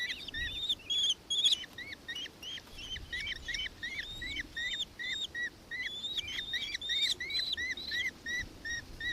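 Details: Nankeen kestrel calling in Victoria, Australia, on 4 December 2024: a fast series of short, arched, shrill notes repeated about three times a second, with overlapping calls at the start.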